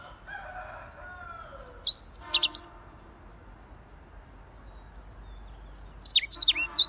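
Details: A Siberian rubythroat sings two brief bursts of high, twisting, sharply inflected whistles about four seconds apart; a lower, drawn-out crow-like call sounds faintly at the start.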